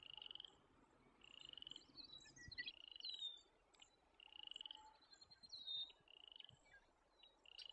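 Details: American avocets with young chicks in Alberta call in short, rapid bursts of sharp, high notes about every second and a half, with thinner whistled notes above.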